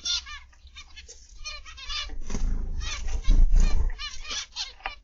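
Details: Zebra finches calling in an aviary, 29 November 2021, PM: strings of short nasal honks from several birds, broken by a louder low-pitched rumble in the middle.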